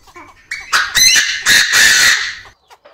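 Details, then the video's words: Male Chinese francolin (đa đa) crowing in an aviary. A loud, harsh, rasping call of several joined bursts lasts about two seconds. Faint short clicking notes come before and after it. "Tiếng Chim Đa Đa Gáy, Đa Đa Mái Tục Trong Aviary Mới Nhất, The sound of the partridge crowing"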